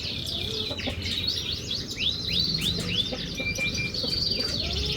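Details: Canary song used as a lure to prompt a silent canary to sing: quick upward-swept whistled notes and short trills at high pitch, with a steady low background hum throughout.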